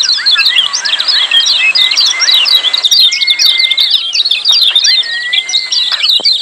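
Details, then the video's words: Lemon-bellied white-eyes calling in a busy 'ciak' chatter, meant to lure silent birds into song: continuous sharp high chirps over long, even whistled notes that bend downward at the close. "Masteran Kecial Kuning Ciak Joss RIBUT RAME"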